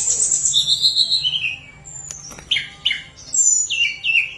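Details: Active, flute-like tledekan gunung song meant to prompt reluctant birds into singing: a high trilled phrase falling in pitch, a sharp click, then several short separate whistled notes.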